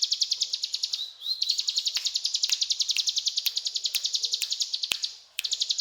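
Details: Lively ciblek gunung in cetrakan style: a continuous, rapid, metallic chatter of high notes with a brief sliding whistle near the start and a short pause before the end.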